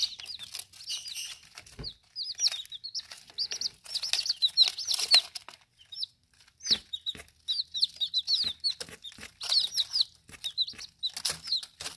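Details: Young chicks, under ten days old, peep steadily while feeding and drinking: shrill descending notes in quick bursts, often several chicks at once, broken by short pauses and frequent clicking pecks.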